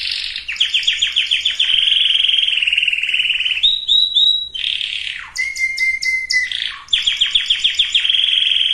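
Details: Canary singing, meant to prepare females and males for breeding. A rapid rolling trill of repeated high notes gives way to brief whistled phrases and a sweeping downward slur, then fast rolling tours return.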